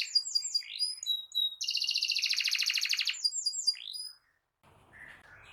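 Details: Domestic canary singing continuously, meant as a tutor and a prompt for canaries that went quiet: quick chirps and whistles, a loud buzzy roll lasting over a second, more chirps, then the song fades to faint background noise.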